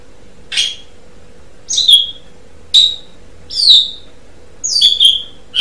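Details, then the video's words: Asian pied starling in a songbird training recording: sharp, high squeaky chirps that slide downward, repeated roughly once a second in an irregular series, with a low steady hum underneath. "Suara Burung Jalak Suren"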